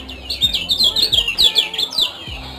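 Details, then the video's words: Lemon-bellied white-eye (kecial kuning) from Lombok singing a fast, unbroken string of high, thin chirps and twittering notes, loud throughout, over a faint low hum. "Ciak - Ciak Josss Gandos Kecial Kuning Lombok"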